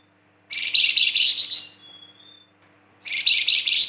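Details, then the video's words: Flamboyan giving its rough 'kasaran' style chatter: a loud buzzy, scratchy burst, a faint thin whistle, then a second buzzy burst after a short pause. "PANCINGAN BURUNG FLAMBOYAN GACOR"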